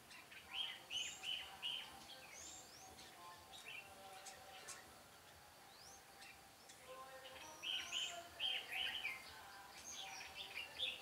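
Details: Red-whiskered bulbul at a trapping site on 13 March 2017 sings clustered bursts of quick, bright whistled notes, then falls quiet for several seconds before the bursts return. Other small birds chirp faintly in the background.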